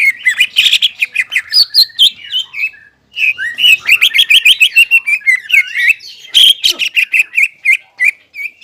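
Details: Greater green leafbird in full song with crest erect, pouring out rapid, varied whistles and chattering notes with a short pause midway, then a dense, jumbled medley of slurred and clicking phrases.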